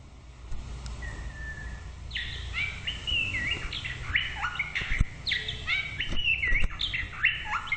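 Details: White-rumped shama singing: a soft, low whistle, then a rich run of varied whistled phrases, each note sliding or stepping in pitch, delivered in quick bursts with brief pauses; a low steady hum underneath.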